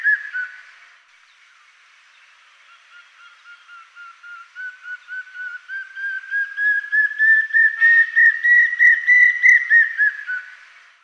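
Common Hawk-cuckoo giving a fast series of shrill whistled notes, about three per second, that climb steadily in pitch and grow louder to a frantic peak.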